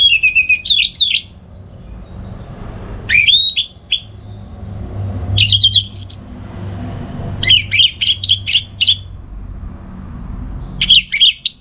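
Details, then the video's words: Orange-headed thrush singing at home in the morning as a model for other songbirds; repeated short phrases of loud varied whistles and chattering notes every few seconds, with faint low traffic-like rumble. "Pagi Hari Hari ANIS MERAH Ngeplong Gacor Untuk Pancingan & Masteran Burung Dirumah"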